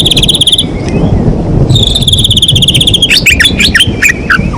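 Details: White-rumped shama song used as a lure to provoke quiet shamas into singing: loud, rapid trilled phrases with ringing high overtones, a pause, then a long sustained trill and sharp jumbled notes over low background rumble.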